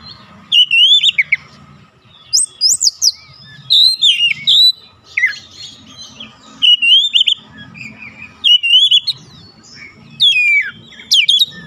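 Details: Oriental magpie-robin song used to stir up other magpie-robins: repeated bursts of varied whistles and sharp chips, phrases rising and falling roughly every second or two, against hiss and a soft low hum.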